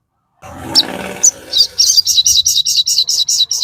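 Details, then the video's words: Crested jay in full song: after a brief low rustle, a fast series of high, sharp chattering notes repeats about three times a second. "sogon GACOR FULL KICAU"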